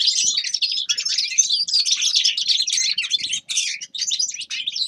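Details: Grey-crowned goldfinch singing in a dense, continuous stream of high twittering and tinkling notes, rapid chirps run together with brief pauses near the end.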